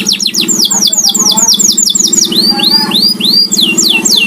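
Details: Canary kept at home sings loud repeated downward-curving whistled notes, then slower arching upslurred whistles, over a steady low hum.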